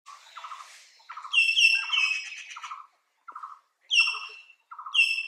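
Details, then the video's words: Common hill myna in Nameri giving loud, harsh, nasal calls and shrill whistles in quick bursts, with a low chattering note repeated under them; no other sounds. "Hill Mynas"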